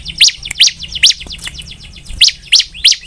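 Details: Bar-winged prinia in lively song: loud, high, sharp chirps about every third of a second, each note overlaid on a faint fast ticking trill.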